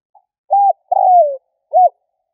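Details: A single spotted dove lure phrase used to provoke: a faint pip, a short flat-topped coo, a long burry coo dropping in pitch, then a brief arched closing note, recorded cleanly.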